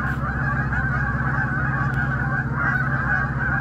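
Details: A large flock of Canada geese on the St-Maurice River on 21 September gives a continuous chorus of overlapping nasal honks, with a steady low rumble underneath.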